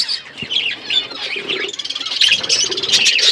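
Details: Budgerigar flock in an outdoor aviary: dense overlapping chirps and warbled chatter, many birds calling at once in a continuous high twittering wash that grows louder toward the end.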